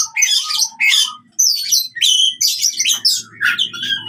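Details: Oriental magpie-robin giving fighting song, used to make silent birds sing: loud, separated bursts of scratchy, buzzy notes and whistles, about two each second, over a low hum toward the end.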